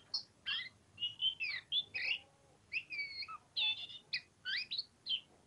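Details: Oriental magpie-robin (pociku) singing in ngobra manner, mixing sweet whistles, rising slurs and harsher chattering notes in short phrases with small gaps between them.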